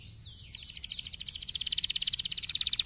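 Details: Canary in the fast, dense 'gacor speed rapat' singing style, said to rouse fighter canaries: a quiet start, then a high rapid trill of even pulses growing steadily louder over about two seconds.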